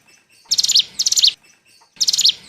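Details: Lure call of the mountain bar-winged prinia for trapping: three short bursts of fast, sharp, high-pitched chips in quick succession, each ending on a slightly lower note.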